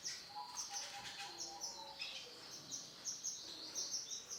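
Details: Male orange-and-black canary singing: a busy run of high, thin chirps and short whistled notes, quickly repeated, with some softer lower warbling beneath.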